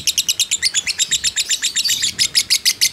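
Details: Fighter lovebird delivering a long ngekek chatter, recorded as a trigger to stir other lovebirds: bright, squeaky chirps in quick succession, about two each second, some with sharp whistled peaks.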